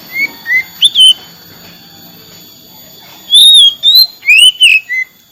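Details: Oriental magpie-robin singing clear slurred whistles. A few rising and falling notes come first, then a pause of about two seconds, then a fuller run of looping whistles ending on a lower note.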